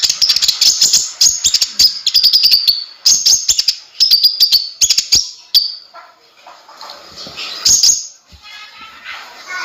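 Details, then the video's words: ['Energetic Konin singing, offered as a tutor song for cage birds: clusters of sharp high chirps and twitters for the first half, then quieter scattered notes with faint background murmur.'] "suara burung konin gacor bisa untuk masteran semua burung"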